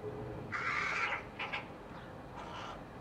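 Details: Rooks with their chicks, July 2021: a long harsh caw followed by a short doubled croak and one further caw, with a low rumble of background noise.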